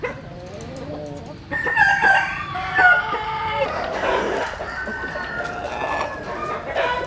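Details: Dawn crowing of roosters out in the morning sun: a faint far crow first, then overlapping mid-distance crows rise and fall in a layered chorus.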